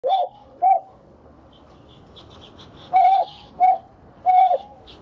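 A blue jay gives mellow, bell-like whistled notes in short bursts, about five over a few seconds, with faint higher chirps between them.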